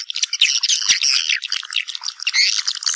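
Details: Swiftlets calling one another back to nest, a busy stream of high, scratchy twitters and chirps that rise and fall quickly without pause.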